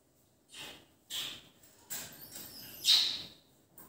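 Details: Rose-ringed parakeet giving four quiet, hissy, high-pitched screeches about half a second apart, the last one loudest.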